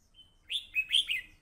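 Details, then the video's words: Fighting red-whiskered bulbul giving a brief thin whistle followed by three or four loud, bright, slurred chirps in quick succession, clear against a quiet background. "hello crest fight 87,Hello Crest Singing, Voice Recorder, Bulbul bird"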